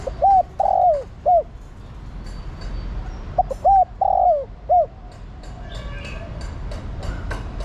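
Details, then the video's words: Spotted dove female calling the male. Two bursts, each made of short arched hoots around one longer, rolling coo. Some clicking and background noise follow. "Cu gáy mái thúc trống + gọi trống cực nhay"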